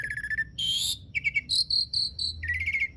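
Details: Asian pied starling singing to coax quiet starlings into song: a short run of mixed notes with a buzzy trill, a harsh rasping burst, clipped chattering and level ringing whistles.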